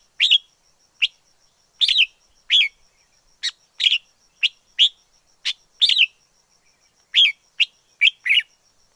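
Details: Wild red-whiskered bulbul in forest, pouring out quick bright chirps, clustered pairs and single sharp notes at an uneven pace. A faint unbroken high tone runs behind the bird.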